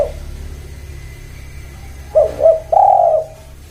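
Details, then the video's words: Spotted dove cooing: two short rising notes followed by a longer, level, husky coo, all mid-low pitched, over a steady low hum. "Semua Tekukur Bunyi"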